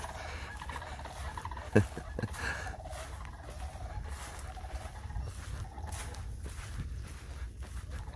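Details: Sandhill cranes squawking at a local wildlife preserve where they feed on catfish in receding water, giving rolling, trumpeting rattles in repeated bursts, faint beneath low wind rumble and a man's voice.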